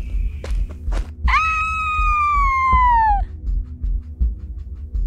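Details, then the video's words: An eagle circling an old homestead among cottonwoods and sagebrush by a dry creek, 10 June 2020, gives a single long, clear scream sliding downward for two seconds over wind and footsteps; observer suspects a nearby nest. "Man, that eagle's just kind of like circling around this site, screeching."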